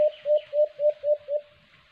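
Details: ['A white-eared brown dove (alimokon), recorded while bird hunting with a cage trap: six loud low hoots in quick succession, the last ones fading, followed by quiet.']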